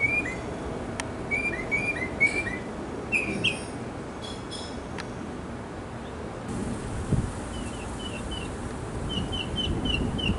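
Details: Backyard mockingbird, a male, singing for a female: short slurred whistled phrases repeated several times in a row, then a pause and a different series of quick high notes, with a steady low rumble of background noise.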